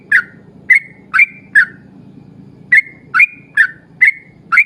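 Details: A yellow-vented bulbul sings a lively 'ropel panjang' lure song to draw other bulbuls into singing. Four bubbly slurred whistles are followed by a gap of more than a second, then five more, over a steady low hum.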